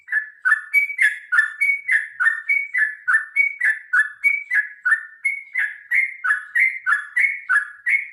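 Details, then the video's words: Extended rapid fighting song by a sooty-headed bulbul, meant to get birds singing: evenly paced, bubbling downslurred whistles, roughly three per second, running on without a break. "suara trucukan gacor tarung ropel panjang"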